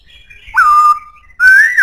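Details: Strong-voiced Black-throated laughingthrush giving two loud, clear whistles: the first rises sharply then holds steady, the second climbs gently upward, separated by a brief pause.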